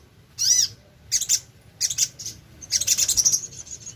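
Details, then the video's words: Sogon, also called sogok ontong, singing strongly as a lure for other birds. A loud, arched, swooping note opens, followed by bursts of shrill, high chatter and a quick, fluttering trill. "BURUNG SOGON GACOR#PANCINGAN SUARA BURUNG SOGOK ONTONG#SOGON BAHAN PASTI IKUT BUNYI#TES SUARA SOGON."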